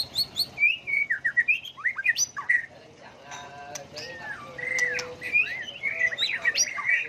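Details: A white-rumped shama sings in many changing voices to provoke song contests. Fast repeated notes open, followed by looping whistled slurs, a short pause, and a rich burst of rising and falling warbled phrases.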